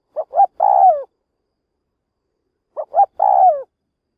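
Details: Trap decoy spotted dove calling to entice wild doves: two identical phrases about two and a half seconds apart, each two quick rising coos then a long, gliding, descending coo.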